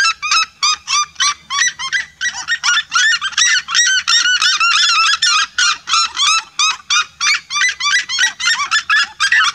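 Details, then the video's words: Flock of red-legged seriemas calling together, a vibrant chorus of loud, bright yelps rich in harmonics, each bending upward, delivered in a fast steady stream of overlapping notes. "O canto vibrante de um bando se seriemas."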